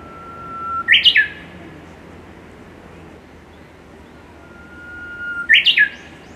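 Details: A Japanese bush warbler in Saitama, Japan, May 2018, sings twice: each phrase opens with a long, steady low whistle, then snaps into a quick, higher, rising flourish, the classic "ho-hokekyo".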